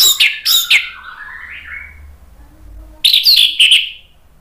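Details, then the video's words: Orange-headed thrush singing, recorded as a lure to prompt another bird to answer: two sharp high notes, then a soft falling whistled phrase, a pause, and a fast burst of bright chattering whistles. "PANCINGAN ANIS MERAH biar EMOSI jadi NYAUT BUNYI GACOR NGEPLONG"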